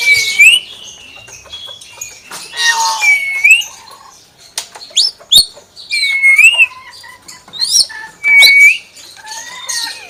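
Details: Pet common hill myna repeating a dipping-then-rising whistle several times, with harsh raspy squawks and short sharp clicks between phrases, separated by quiet pauses.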